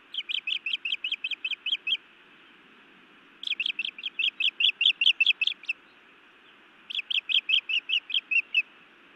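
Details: Female osprey on a Montana nest scolds then bites her mate: three bursts of loud, high, repeated whistled chirps, each run lasting about two seconds, with short quiet gaps and steady background noise.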